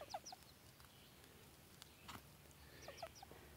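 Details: An overly territorial "tame" ruffed grouse on a gravel road in mid-late summer follows a person and jumps at their shovel, giving short clucking notes in two quick pairs about three seconds apart, with scattered crunching clicks and faint hiss.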